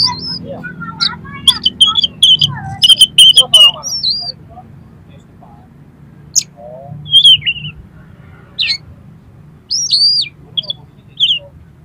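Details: An oriental magpie-robin delivers a song full of harsh filler material intended to rouse another magpie-robin: rapid sharp clicks and whistles early, then sparse hooked whistled notes separated by quiet gaps.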